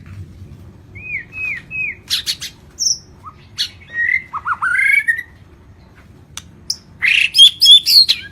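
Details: White-rumped shama of the Lampung type, singing gacor with a full isian repertoire: three clear rising whistles, then scattered sharp clicks, a rapid warbled phrase, and a final burst of high chattering notes, with quiet gaps between.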